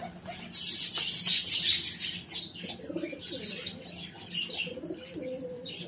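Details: Home-bred gola pigeons, about forty birds, kept at home; a burst of wing flapping followed by soft low cooing notes, wavering and repeated, with rustling and scratching around.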